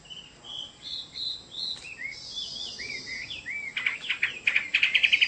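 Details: Chinese hwamei sings steady whistled notes and downslurred phrases, then speeds into a rapid, loud series of sharp, clipped repeated notes.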